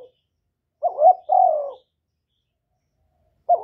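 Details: Spotted dove calling, used as a decoy voice to stimulate newly caged doves, recorded without background noise. A single two-part phrase, a quavering rise then a sustained falling coo, with another phrase just beginning at the end.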